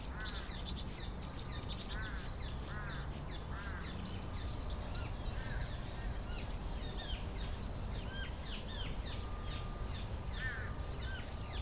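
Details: Immature common cuckoo raised by vinous-throated parrotbills, fed by its host; sharp high hissing notes repeated roughly every half second, later merging into a steadier thin trill, with small chirps from other birds.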